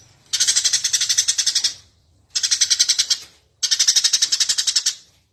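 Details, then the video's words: Eurasian tree sparrow (burung gereja) singing vigorously on a master recording for teaching birds: three even bursts of rapid, harsh, high chirps, each lasting over a second with about twelve notes, separated by short pauses. "suara burung gereja gacor"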